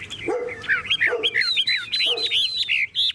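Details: Tame caged Chinese hwamei, singing strongly while its cage is carried and shaken by hand. It pours out a fast series of clear, arching whistled phrases, each rising then falling, punctuated by three lower, harsh bursts.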